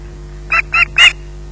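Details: Three short, harsh squawks in quick succession, the last loudest, from an osprey waiting for food at RSPB Loch Garten, with a faint steady hum in the background.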